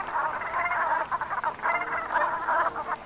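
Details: Brent geese in autumn at sunset, Gulf of Morbihan, Brittany, France, 7 November 2021: a dense flock chorus of overlapping guttural, croaking calls, continuous and without pause.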